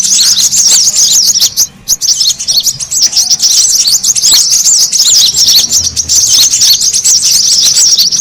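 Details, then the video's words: Noisy brown-throated sunbird calls used to pull in birds: crowded, shrill chirping and rapid trills, a short quieter gap early on, then steady overlapping twitter. "SUARA PIKAT KORLAP RIBUT AMPUH BURUNG SEKEBON AUTO NGUMPUL"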